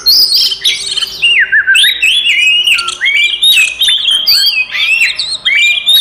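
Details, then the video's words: Oriental magpie-robin delivering a provoking fight song aimed at rousing other magpie-robins: bright whistled phrases with quick upward and downward slurs, some high sharp notes and repeated looping figures, sung almost without a break. "SUARA BURUNG kacer gacor TARUNG konslet paling AMPUH buat PANCINGAN KACER EMOSI"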